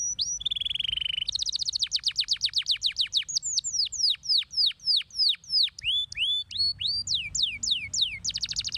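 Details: Masteran tutor song of a canary (kenari): steady held tones lead into a rapid rattling trill, followed by strings of sharply downslurred whistled notes that repeat briskly, then a final dense trill.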